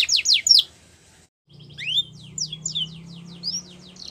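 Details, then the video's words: Canary song fragment: a few quick high descending notes, a short pause, then scattered rising and falling whistled notes over a low steady hum. "The Best Canary Singing"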